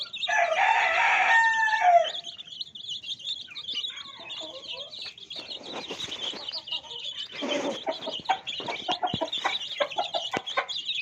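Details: Colored chicken chicks kept with a hen, heard after a loud, harmonic rooster crow lasting two seconds. A steady, busy chorus of thin high peeps follows, with scattered clicks and low clucks.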